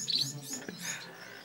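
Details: A Bengalese finch (society finch) in Maslak, Istanbul gives a brief, high, thin chirp, then fainter, softer notes, with low human speech mumbling in the background. White-rumped munia.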